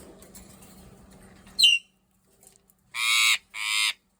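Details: Hungry Eclectus parrot giving two harsh, buzzy squawks in quick succession, each about half a second long and rich in harmonics, preceded by a brief sharp note and low background rumble.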